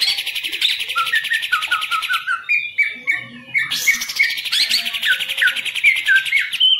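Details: Green leafbird in a cage singing a fast, varied song of rattling trills and clear descending whistles. A short pause comes midway before the song restarts loudly.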